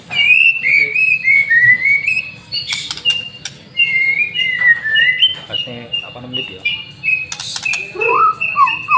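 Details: White-rumped shama training master song, played as a lure to set birds singing: a continuous stream of clear, varied whistled phrases, rising slurs and quick repeated notes, with a few loud clicks and a low background hum.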